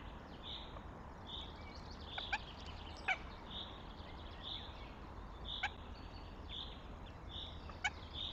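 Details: Eurasian goshawk chicks at the nest in Tartu, Estonia, on 9 May 2025: soft, thin high calls repeated about once a second, with a few sharp clicks over a steady background hiss.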